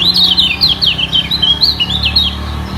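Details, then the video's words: Lemon-bellied white-eye in a singing duel with rivals below, defending its position at the top. A fast, continuous chatter of high, twisting whistled notes with quick up-and-down slurs, with a faint low hum underneath. "Demi Mempertahankan Posisi Kecial Kuning Ini Perang Suara Di Bawah"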